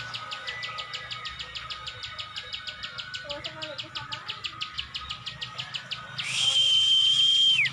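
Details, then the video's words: Plain Prinia known locally as ciwah, giving an even run of sharp ticking clicks at roughly three per second, interrupted near the end by a loud, flat, sustained whistled tone. "ciwah gacor ngebren, burung ciwah anda dengar langsung gacor"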